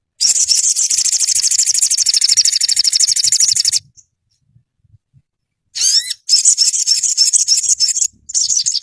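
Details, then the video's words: Olive-backed sunbird, kept as a caged bird, sings loud, rapid, high-pitched trills: a sustained buzzy chatter for several seconds, a brief silence, then renewed trilling broken by quick rising whistled sweeps. "Dalam hitungan menit burung sogonmu ikutan gacor dan ngeleper"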